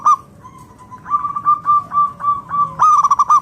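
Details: Local wild-type zebra dove (perkutut lokal) singing to lure other doves into calling: running series of clipped, mid-pitched cooing notes, ending in a louder rapid burst of five or six notes, with other doves audible behind.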